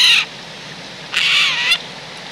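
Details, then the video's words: Wild Eurasian jay at a bird feeding point in the countryside of central France, 17 December 2019, autumn: two harsh, rasping screeches, a short one then a longer one lasting about half a second, over steady background hiss. "GEAI des Chênes/Garrulus glandarius/Automne/Élocution"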